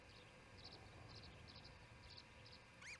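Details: Ospreys at the Charlo nest during the second evening feeding, 7pm on June 18, 2018: a quick series of thin, high chirps in small clusters, ending with a sharper rising-falling whistle, over a steady background hum.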